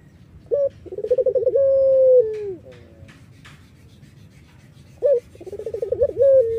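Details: Collared dove of the Iraqi type, used as a lure to attract other doves: a short sharp note, then a long trembling pulsed coo ending in a falling tone, repeated after a pause, with faint clicks.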